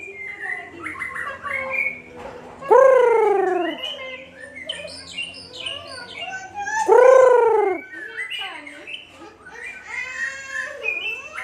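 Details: White-rumped shama (murai batu) from Aceh, where it is becoming rare: a varied song of high whistled phrases, with two loud, rich notes sweeping downward at about three and seven seconds.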